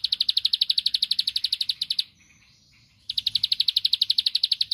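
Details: Bar-winged prinia song used to rouse a rival: a two-second train of rapid, high, regular pulsed notes, a one-second pause, then a second matching burst.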